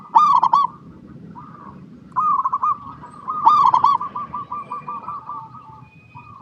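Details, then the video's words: Zebra dove song aimed at prompting other doves to sing. Loud trilled bursts alternate with long runs of quick, even, stuttering coos. "PERKUTUT LOKAL GACOR PALING DISUKAI 🐦 Suara Asli Bikin Semua Perkutut Dimanapun Pasti Nyaut"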